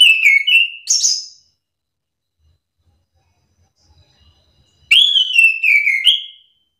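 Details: Orange-headed thrush, a bird used as a lure to provoke other thrushes into answering, sings two short bursts of clear whistled phrases about four seconds apart, each sliding downward then stepping up, with a quiet pause between.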